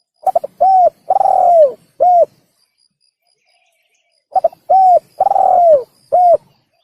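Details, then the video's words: Tekukur, the spotted dove, calling on a hunting-lure recording. Soft coos come in two repeated phrases. Each has a fast stammered start, a long, hoarse coo curving downward and a clipped final coo, with a silent gap of about two seconds between. "Pikat Burung Tekukur / Suara Burung Tekukur | The Sound of The Turtledove"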